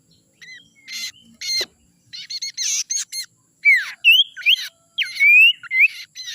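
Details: Young wild forest sirtu as a lure sound: a busy series of sharp chirps, squeaky notes and clear upslurred whistles, delivered in quick irregular bursts.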